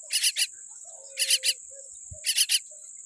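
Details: Common myna baby, tiny and born with a weak beak, gives three clusters of scratchy triple notes spaced about a second apart. A thin high whine runs throughout, with faint low murmurs between.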